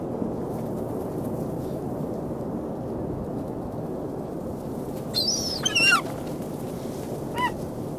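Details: Seagulls calling on the beach, 27 February 2016, 19°F: a burst of overlapping high, wavering harmonic cries late on, then one shorter clear yelp, over continuous surf-like background noise.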